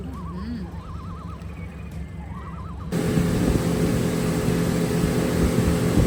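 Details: A loon on glassy calm water near the Rocky Mountains of Canada gives three short, quavering tremolo calls over the first three seconds before a loud engine drowns everything out.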